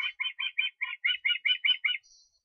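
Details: Ten clipped, whistled calls from an osprey, recorded in Estonia on 23 August, evenly spaced in a quick run lasting two seconds, followed by a faint high thin note.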